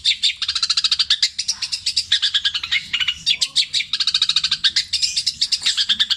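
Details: Petir-style mimicry from a long-tailed shrike, with tengkek buto, kuntilanak and sparrow imitations drawn out and repeated. Rapid scratchy chatter rolls on in long bursts, with a short lull midway before dense chirping returns.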